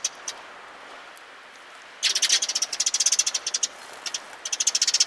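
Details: Sparrows coming to be fed, recorded 27 March 2022 on the way out: quiet background, then from about two seconds a dense run of sharp, high chirps, roughly four per second, with brief pauses.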